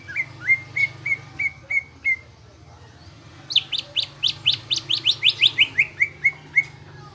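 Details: Lure song of a Greater green leafbird, played to make caged birds emotional and build a fighter mentality. Evenly spaced whistled notes come first, then a loud, rapid burst of sharp chirps falling slightly in pitch.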